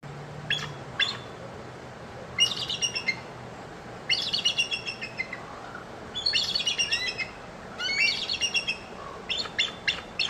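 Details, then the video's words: Female bald eagle calling in bursts of high, thin, chittering notes, each burst a quick run of about five to eight piping squeaks, repeated every one to two seconds over faint low background hum. "a Bald Eagle showing off her vocalization!"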